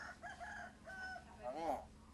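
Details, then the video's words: Common hill myna mimicking human speech, imitating coughing and calling out words, here producing a run of harmonic, voice-like syllables ending in a loud arching, wavering call. "BURUNG "BEO" BICARA BATUK DI KOMIK AJA II PANGGIL PAPI PAPI"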